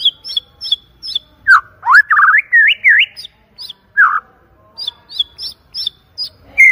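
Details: White-rumped shama lure song with a loud, clear voice: quick high flicked notes, a burst of rich zigzagging whistles in the middle, then more evenly spaced high ticks and a closing whistle.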